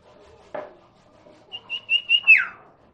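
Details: Common iora (sirtu, cipoh) lure song to make a silent bird answer: a dull knock, then five high whistled pulses building in loudness and ending in a falling sweep.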